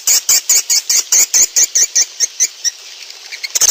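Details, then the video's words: Swiftlet calls from a lure recording meant to attract swiftlets: a rapid, even series of bright, high chirps, about a dozen in two and a half seconds, fading into softer scattered ticks. "Suara Panggil Walet"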